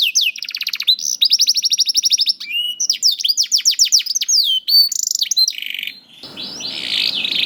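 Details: Lure song of a young canary, used to get canaries that rarely sing to join in: fast repeated trills and downslurred notes change pattern every second or two, ending in a burst of hissing noise.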